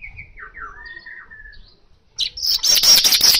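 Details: An Asian golden weaver singing busily in a natural recording used to coax kacer birds into song; soft sliding whistles lead into a sudden loud stretch of rapid high buzzy chatter.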